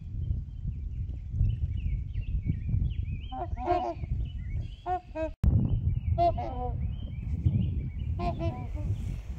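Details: Repeated bouts of deep, bugle-like honks from trumpeter swans on Horseshoe Lake with geese nearby, several short clusters over nine seconds, while small birds sing high warbling phrases behind them and wind rumbles.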